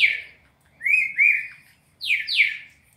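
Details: Four-note training song of a captive red-crested cardinal: a descending whistle, two slurred level whistles in quick succession, then two steep downward-swept notes, clear and loud.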